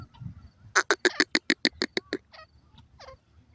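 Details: Grey francolin, known locally as Indian teetar: a loud run of about nine harsh, clipped notes in quick succession, followed by a few fainter, softer notes.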